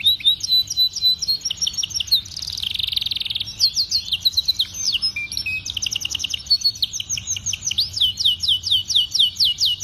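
A canary sings a long, rapid song of high rolling trills, chattering phrases and bright whistled notes, with a steady low hum behind it.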